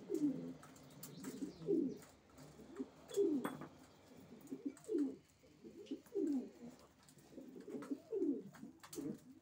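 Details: Racing pigeons producing repeated low, rolling coos, each a sweeping downward-bending phrase roughly every one and a half seconds, with clicks and rustles between them.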